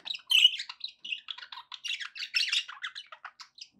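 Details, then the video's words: Lively budgerigar chatter: an opening loud squawk followed by a steady string of short buzzy chirps and squeaks, almost without pause. "2 hours of budgie sounds with background noise for relaxation"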